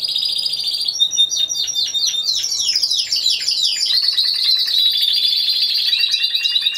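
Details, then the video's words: Competition Timbrado Español canary singing solo, 26 November 2015: a loud continuous run of rapid descending swept notes, flowing into a high rolling trill. "Καναρινιών Φωνής Timbrado Español"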